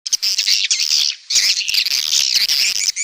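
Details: Swiftlets, birds valued for their edible saliva nests built in caves and cliffs, giving dense buzzy chattering chirps in rapid runs, with a short pause near the middle.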